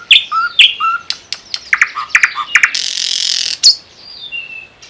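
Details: Nightingale singing near the Unzha river or in the Kologrivsky Forest reserve: sharp chirps and short whistles, a run of clicking notes, then a harsh buzzing rattle about a second long before a final high whistle.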